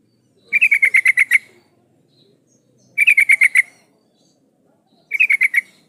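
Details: Female yellow-vented bulbul calling a male, a recording used as a lure for males. Three bursts of about eight quick, bright, evenly spaced notes, each burst lasting about a second and coming every two to three seconds, with quiet between.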